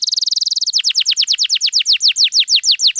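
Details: Canary song used to prompt silent canaries to respond and sing: a fast trill of high notes at first, then a steady run of loud, downward-sweeping whistled notes repeated about seven times a second, with no other sounds.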